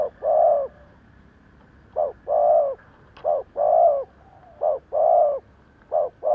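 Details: Spotted dove kept as a lure for wild doves, calling short-then-long coo pairs repeated briskly with slightly uneven spacing, a faint click in the background.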